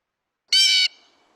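A Blue Jay gives one loud, harsh, crow-like jeer lasting about a third of a second, rasping and high-pitched, followed by a faint fading echo.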